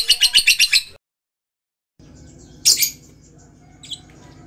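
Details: Lovebird uttering a quick burst of about six sharp, high-pitched chirps, then a gap of silence followed by one louder shrill squeak over a low background hum, and a faint final note.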